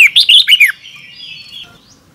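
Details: Red-whiskered bulbul double-twist morning song for lure training: a fast run of five loud, bouncy, bending whistles, followed by a long, thin, steady tone that fades out.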